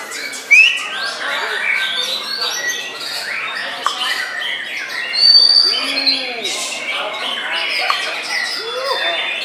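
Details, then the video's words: White-rumped shama singing with bowing posture: scattered whistled phrases and clipped notes, an abrupt loud note early on, a pure sustained whistle midway, and soft arched lower calls in the background. "MURAI BATU"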